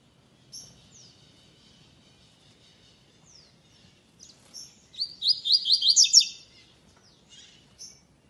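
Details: Double-collared seedeater singing in a web tournament's second stage, classic song style without the third note: faint soft chips and slurs, then a loud rush of rapid high buzzy notes lasting about a second and a half, followed by isolated chirps.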